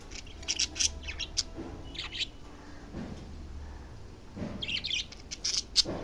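Budgerigars chirp and chatter in quick, scratchy bursts, with bright warbling notes.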